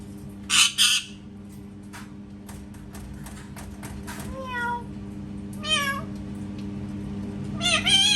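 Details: Pet parrot mimicking cat sounds indoors: harsh doubled squawks open, then drawn-out, downward-bending meow-like wails recur at intervals, ending in another squawk pair over a steady low room hum.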